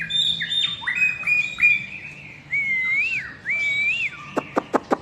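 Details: Long-tailed white-rumped shama from Medan, 2021, singing in full voice: clear whistled phrases, some held steady, some swooping up and down, separated by brief pauses, ending with four sharp clicking notes.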